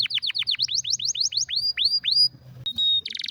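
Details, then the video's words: Canary song with a rare, strong style, offered as a tutor for training other canaries: a fast run of sharply down-slurred notes gives way to slower rising whistles, then a pure metallic tone and a brief buzzy burst. "Canário com Canto Raro e Forte – Ótimo para Seu Mestre Canário HD - CANARY SOUND MELODY"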